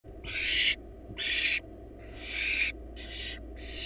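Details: Wild barn owl chicks, four young in a monitored nest box, calling as their mother feeds them a large rabbit; harsh broadband hissing screeches about half a second each, five in under four seconds, over a low steady hum.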